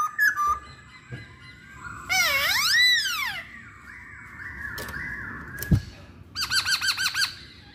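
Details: Lure song of a masked laughingthrush, meant to make others sing: a sharp opening note, a loud swooping whistle rising and falling twice, softer undulating notes, then a quick series of bouncing chirps, over faint background hiss.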